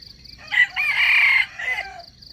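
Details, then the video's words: Red junglefowl crowing as a trapping lure for wild chickens, one close, loud, hoarse crow with a rising start and a drawn-out middle, a faint insect trill behind. "Trap wild chickens with crowing voice, there is a bait"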